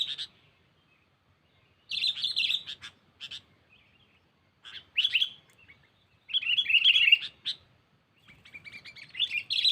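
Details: Sooty-headed bulbul rival-calling lure, for catching without traps: irregular bursts of bright chattering notes separated by pauses of one to two seconds, the louder bursts rough and clustered.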